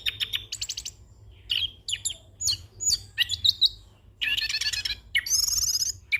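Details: Rolling song of a young orange-headed thrush, full of borrowed phrases, used as a master and lure recording: rapid stuttered notes, varied whistled slurs, then long dense buzzy trills toward the end.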